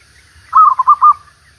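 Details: Single zebra dove coo, recorded while luring the bird after seven days of steady rain: a mellow, bubbling series of about five rapid rounded notes at a steady mid pitch, fading at the end.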